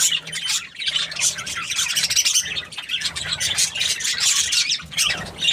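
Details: Happy budgie chirping with rapid, grating twitters and squeaks packed closely together, forming a constant lively chatter.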